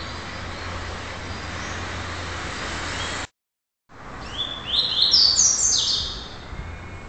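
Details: Red-crested cardinal, young and still mottled, a very active repeater under song training: after a stretch of low hum and a brief silence, a short burst of high sliding whistles rises and falls for about two seconds.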